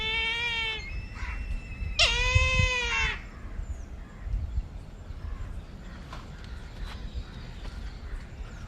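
Brahminy kite giving two drawn-out, nasal, mewing calls about a second long, slightly falling in pitch, over low rumbling background noise.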